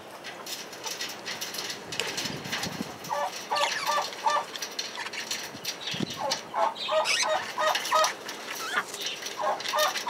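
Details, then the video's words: Male budgerigar in sustained chatter, scratchy high chirps interleaved with quick series of about four short nasal clucking notes, the series returning in bursts through the recording over a steady background hiss. "Male Budgie/Parakeet"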